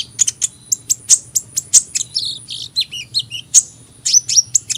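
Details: High-pitched sunbird song of rapid repeated sharp ticks and chirps, broken by a stretch of squeaky warbled twitters, continuing briskly throughout with a soft low hum behind.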